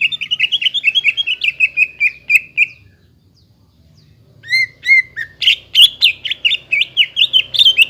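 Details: Greater green leafbird song meant to rouse a quiet bird: a rapid train of repeated chirps, a brief silence, then a varied, tumbling phrase of bright slurred notes.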